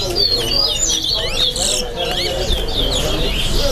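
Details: Chestnut-bellied seed finch (Sporophila angolensis) singing at a bird singing competition in Lusignan, Guyana: fast, varied twittering and sweeping whistled notes, high and bright, over a steady murmur of crowd voices.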